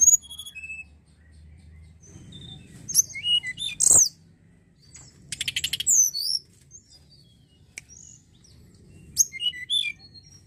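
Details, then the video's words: Snowy-browed flycatcher (mountain tledekan), played as a lure to stimulate singing, gives short bursts of very high, thin, squeaky notes, with pauses of a second or two between phrases, over a faint low hum. "Pancingan Ampuh burung tledekan Gunung"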